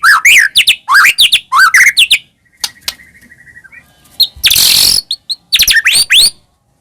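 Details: White-rumped shama singing to stir caged shamas: loud looping whistled phrases, then a soft steady thin note, a brief harsh hissing burst, and a few final sweeping whistles.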